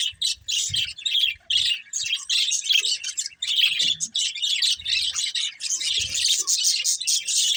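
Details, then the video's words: Several budgerigars playing, giving dense, continuous high chirps and warbled chatter, bursts with brief gaps, overlapping voices throughout, faint low knocks in the background. "Cute Budgies Chirping Sounds"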